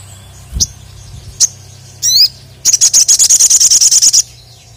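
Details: Crested jay provoked to call at a rival, giving isolated high chirps and a quick buzzy note, then a loud, rapid, even rattle of around fifteen sharp high pulses lasting over a second.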